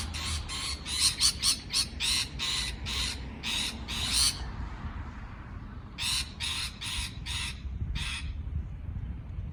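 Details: A parrot chirps in quick clusters of raspy squawking notes, falls silent for a couple of seconds, then resumes with another burst of short harsh calls above a soft low hum.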